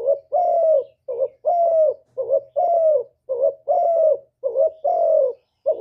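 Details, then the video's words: Spotted dove in the hạp bổi style, a full song of calling, urging and cooing: rhythmic pairs of a short wavering coo and a drawn-out, slightly falling one, looping steadily in a clean recording free of other sounds. "Cu Gáy Giọng Hạp Bổi ĐỦ BÀI (GỌI +THÚC + GÙ)"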